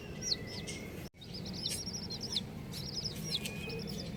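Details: Several colourful baby chickens chirping: busy, overlapping high arched peeps in quick irregular bursts, with a brief sound dropout near one second and steady background hiss.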